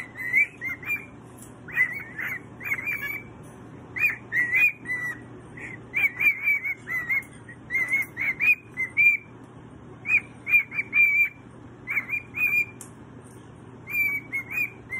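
A pet cockatoo sings a run of bright, whistled notes in short, repeated bursts.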